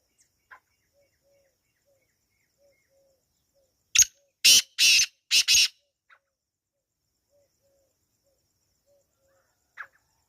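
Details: Wild black francolin in natural surroundings gives one sudden grating phrase of four harsh, rasping notes after a long quiet stretch, with faint soft chirps and a few distant clicks before and after.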